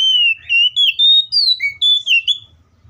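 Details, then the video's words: Fighting song of an Oriental magpie-robin, used to trigger singing in other birds of its kind: nearly continuous loud, pure whistled notes in quick succession, each slightly sliding, climbing then dropping, with short gaps between them. "KACER GACOR FULL ISIAN MEWAH TARUNG NGEPLONG NGOTOT❗PALING AMPUH BUAT PANCINGAN KACER AGAR BUNYI!"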